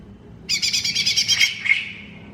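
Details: Greater green leafbird, known locally as cucak ijo, singing a fast rattling trill of rapid pulsed notes that slides down into a slurred whistle and then fades.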